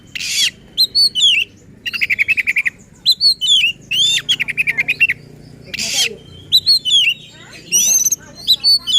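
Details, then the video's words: Provoking song of an agitated oriental magpie-robin: loud rasping bursts alternate with rapid trills of clipped notes and bright upward-sweeping whistles, delivered in a steady, insistent stream. "Burung Kacer Gacor Ngotot dan Emosi Suara Menggila Bongkar Isian."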